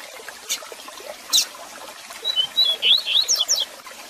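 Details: Rusty-collared seedeater; tutor song; teaching young birds to learn the song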